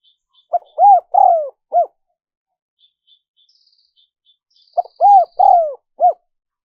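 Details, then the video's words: Spotted dove cooing as a lure for wild doves: two four-note phrases about four seconds apart, each with a long descending coo, with faint high thin whistles and soft ticks in the gap. "Tiếng chim cu gáy mp3 dùng kích bổi hiệu quả nhất"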